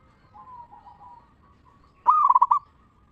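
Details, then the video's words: Local zebra dove giving the ngeristal-style lure song meant to make other zebra doves answer: soft wavering coos, then one loud burst of rapid pulsed cooing lasting about half a second. "Perkutut Lokal Gacor RAJA PIKAT Suara Ngeristal Paling Ampuh Bikin Semua Perkutut Nyaut Gacor"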